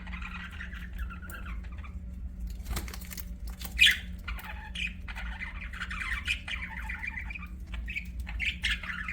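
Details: Budgies warble and squawk in long scratchy chattering phrases, broken by a sharp click and a loud harsh squawk near the middle, steady low hum behind.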